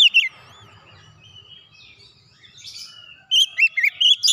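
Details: Oriental magpie-robin (kacer) singing lively gacor style, played to get a silent bird singing again: a brief burst of loud whistled notes opens, then a quiet gap with faint distant chirps, and a renewed run of sharp whistles at the end.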